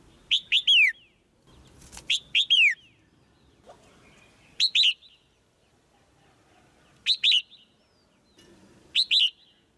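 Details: Caged female white-eye calling to spur a male into louder singing: sharp, loud, downslurred chirps in quick pairs and triplets, bursts recurring every two to three seconds over faint low background rumble.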